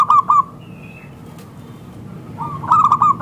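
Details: Local zebra dove calling as a lure for other zebra doves: a couple of quick cooing notes, a quiet gap, then a fresh rolling phrase of rapid coos.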